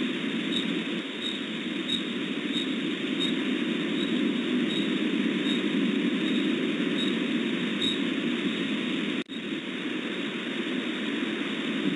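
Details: Steady broadband hiss like wind or distant engine rumble with a faint periodic ticking, and no animal voice.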